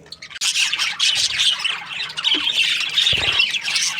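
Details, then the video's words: Australian budgies in breeding season, chirping happily as a group; busy, scratchy chatter and warbled squawks pour out almost without pause, with a few low thumps or knocks near the start and toward the end. "Happy budgies chirping sounds |Australian budgies breeding season"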